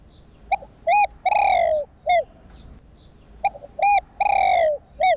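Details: Spotted dove, a kept bird, cooing for use in stimulating decoy doves to call. Two loud cooing phrases, each made of short hooting notes around one long, drawn-out, falling coo. The background is quiet.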